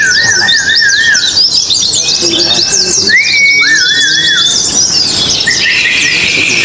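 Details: Oriental white-eyes in a contest in Indonesia chatter in quick high chirps, mixed with a wavering, trilled mid-pitched whistle, repeated rising slurs and a few faint voices.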